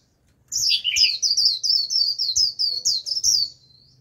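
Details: Japanese white-eye decoy bird singing its warbling líu song to lure a wild flock: a rapid chain of high, thin, twittering notes that dip lower near the start, running for about three seconds.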